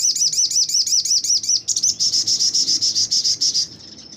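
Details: Caged crimson sunbird at a magpie-robin breeding farm, singing actively while spreading its wings in the rapid 'tembak' style kept as a tutor for magpie robins: a run of high looping whistled notes, then a fast buzzy high-pitched trill that fades out.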